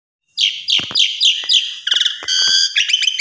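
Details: Asian pied starling song, a lure recording with full mompa fill-ins: a fast run of repeated buzzy downslurred notes, then harsh rattling trills and strident metallic whistled phrases, all high-pitched with a few low clicks.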